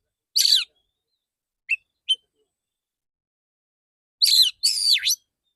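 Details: Male white-rumped shama singing a harsh rasping burst, two faint chips, then two loud buzzy phrases ending in a deep swooping whistle.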